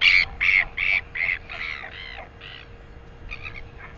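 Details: Northern royal albatross at the Taiaroa Head breeding colony, New Zealand, on 6 November 2020, the start of breeding season, is greeted with sky-calls as another touches down: a run of harsh, braying bursts about two a second that fade and slow, over a faint steady hum.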